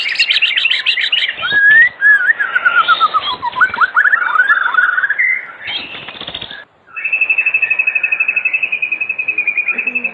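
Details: Oriental magpie-robin song used as an evening lure to prompt other magpie-robins to sing: rich varied whistles and chattering phrases, then a long rapid trill of repeated notes after a brief pause.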